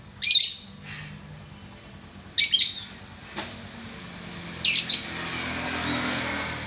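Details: White-rumped shama producing three loud, scratchy, broken bursts about two seconds apart, with a faint ringing note between them.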